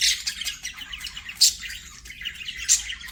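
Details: Pet budgerigars singing while playing: dense, scratchy high chatter with quick squawks and chirps, bright sharp notes standing out about every second and a half.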